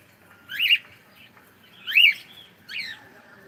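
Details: Cockatiel greeting with good morning, three rising-and-falling harsh harmonic syllables roughly a second and a half apart, the middle one strongest, otherwise quiet indoors.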